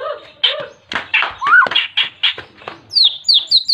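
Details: White-rumped shama singing persistently to call a rival and provoke other shamas into song; a varied run of harsh buzzy bursts, a clear upslurred whistle, then rapid high chirps rising and falling near the end.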